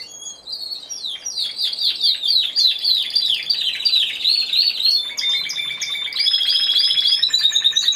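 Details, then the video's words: Single Timbrado Español canary, competition class C2, singing at a November 2015 contest and show. A series of quick downward-sweeping whistles runs into varied clipped phrases, then a sustained bright, metallic roll. "Καναρινιών Φωνής Timbrado Español"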